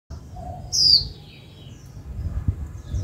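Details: Female white-eye, a kept cage bird, calling to stir the male into singing: one sharp, high chirp sliding downward, then softer faint notes over low background rumble.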